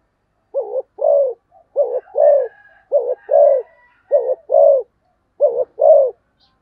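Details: Spotted dove cooing rapidly, repeating a short coo followed by a longer, fuller coo in four paired phrases, faint higher notes in the background.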